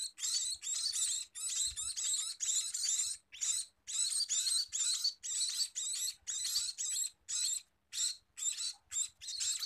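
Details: Insistent food-begging from a scaly-breasted munia: nearly ten seconds of shrill, buzzy chirps repeated about twice a second, a few shorter gaps, and one low bump early on.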